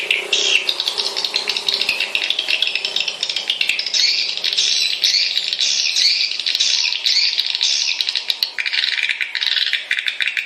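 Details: A swiftlet lure and calling sound: a dense, unbroken stream of high, buzzy chirps and rattling trills that lasts the whole time, with no other sounds heard.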